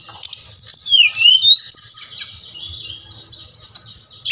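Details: Brown-chested jungle flycatcher, song played to prompt captive birds: sweeping whistled notes dipping and rising, then a longer hissing high warble, with a steady low hum underneath.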